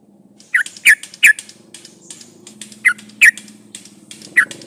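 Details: Yellow-vented bulbul song used as a lure to prompt other birds to sing: three quick, slurred chirps, a gap, then three more spaced notes, with a faint low hum underneath.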